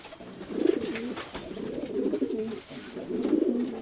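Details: Pigeons cooing in a natural setting: three low, throaty, rolling coos spaced about a second apart, each a soft burbling phrase, with faint background hiss.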